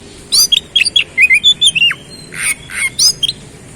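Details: Oriental magpie-robin singing a rapid run of clear whistled notes mixed with sharp chirps and short rising and falling slurs, with a steady background hiss.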